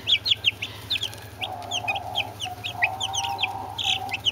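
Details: Brahma chicks and two Orpington chicks cheeping: high, quick downslurred peeps from several birds, repeated in uneven runs, joined midway by a steady mid-pitched droning tone and a continuous low hum.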